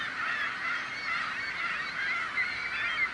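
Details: Seagulls raising a din: dense overlapping cries with a few clear, sharp rising squeals near the end.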